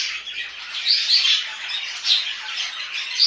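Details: Captive budgies kept at home chatter in a fast, uneven warble of high squeaky notes, clicks and short whistles, with louder bursts about every second, in a small room.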